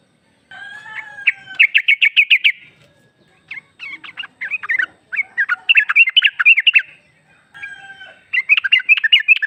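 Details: Lure recording of a female sooty-headed bulbul (trucuk) calling the male: fast rattling bursts of rapid chirps alternating with pauses, accompanied by faint steady tonal lines in the background.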